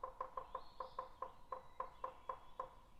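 A woodpecker knocks on wood in slow, even taps, about four each second. A faint high whistle runs underneath.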